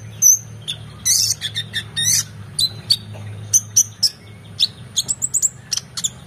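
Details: Excited oriental magpie-robin song with a rich mix of phrases, recorded for training competition birds: a loud whistle, then dense harsh chattering bursts and many quick high chirps and whistles, irregularly spaced, with a low background hum.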